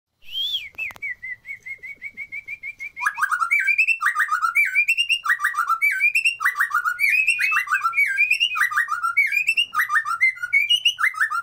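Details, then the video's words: White-rumped shama song used as a lure to make lazy birds sing and come into breeding condition: a run of quick, even notes at one pitch, then loud, varied, rich whistled phrases that rise and fall, repeated rapidly. "Pancingan Murai Malas Bunyi Agar Birahi"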